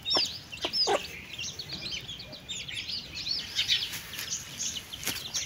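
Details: Mother hen with chicks feeding: softer, scattered high chick peeps and slurred notes with a few sharp clicks, against a quiet hiss.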